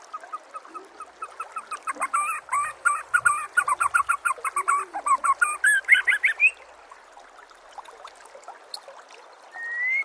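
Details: White-rumped shama song for training songbirds: a long run of loud, short, clipped notes about three per second with high buzzy edges, then a quiet gap and a final rising whistle.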